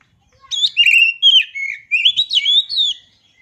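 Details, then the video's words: Clear oriental magpie-robin phrase of fluty, warbled whistles, some sliding down and others rising, delivered in five or six quick bursts over about two and a half seconds. "Suara Asli Kacer"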